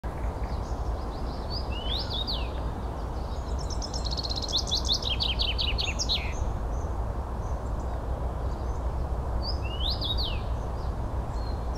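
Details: Common rosefinch in Espoo, Finland, on 9 June 2015, giving short, clear slurred whistles twice, with a quick rattling trill from another bird between them, over a steady low rumble.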